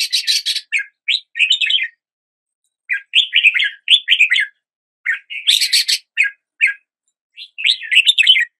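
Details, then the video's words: Red-whiskered bulbul song heard as a new day begins. Lively phrases of sharp, bubbly whistles come in clusters with roughly one-second gaps between them. The background is clean and silent. "Red whiskered Bulbul Song"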